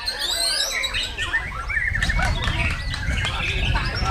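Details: White-rumped shama (Copsychus malabaricus), song.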